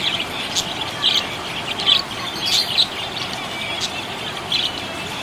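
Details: Budgerigar chirping happily, giving rapid high chirps and squeaky warbles in short bursts roughly every half second, with a few harsher squawk-like notes and a steady background hiss.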